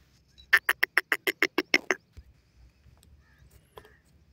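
A francolin gives a rapid run of about nine harsh, grating notes in just over a second, then a single weaker note after a pause.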